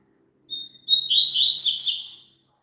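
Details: Double-collared seedeater phrase played to prompt a kept bird to sing along. A clear, thin, level note gives way to a fast, tumbling stream of high twittering notes, with a faint low hum underneath.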